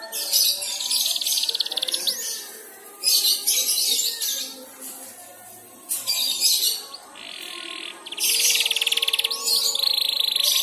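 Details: Learning canary warbling (ngeriwik) in response to another canary's song: bursts of high rattling trills and buzzy rolls, several seconds each, broken by short quiet gaps and a faint low hum.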